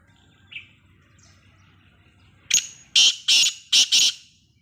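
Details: Black francolin, the Sindhi nasal type: after two faint notes, a loud harsh grating call of four broad rasping bursts in quick rhythmic succession near the end, over quiet background.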